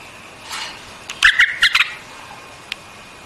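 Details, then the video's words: White-eared bulbul giving one short burst of bright, liquid chirps packed into about half a second, with quiet gaps before and after. "Singing of White-Eared BULBUL, The beautiful sound of White-eared bulbul, صوت البلبل أبيض الأذنين"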